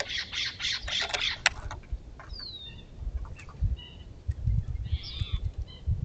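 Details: Raucous Steller's jay at a feeder, protesting a California scrub jay's presence: a fast run of rough, broadband squawks in the first second and a half, then a few thin whistled notes over low thumping and rustling.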